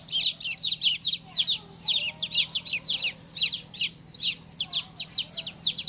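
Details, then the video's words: Chicken chick just out of the egg, uttering clusters of piercing high peeps that slide downward, grouped in rapid runs with short gaps, faint background hum. "Cutest baby chick chirping sound"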